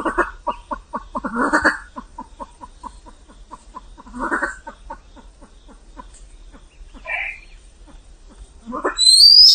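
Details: Vietnamese pheasant giving a long series of low, dry clucks at a steady pace, interrupted by louder raspy bursts, with a thin rising whistle at the very end.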